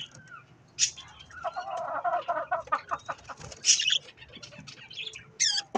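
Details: Budgerigars calling while eating strawberries, a run of rapid buzzy chattering notes mid-pitch followed by sharper high squeaky chirps, with soft background rustling.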